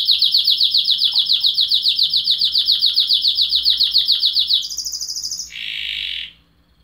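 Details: Loud, close canary song: a long, fast, even trill of high notes repeated about four times per second, then jumps to a quicker, higher trill and ends in a short buzzy rattle.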